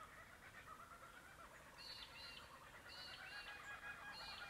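Distant kookaburras give a rapid, cackling run of harsh, bubbling notes that rise and fall in waves, over a steady outdoor hiss.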